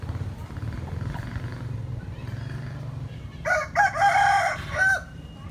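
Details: Rooster crowing: after a few seconds of low rumbling background, one loud, ringing crow rises and holds in several linked segments before ending with a short tail.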